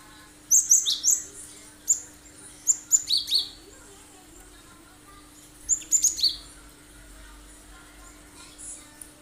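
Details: Cinereous tit singing actively in the sharp 'tembakan' shot style, used as a lure so other birds copy it: very high, piercing clipped notes in quick clusters of two to four, separated by pauses of one to three seconds, over a faint steady hum.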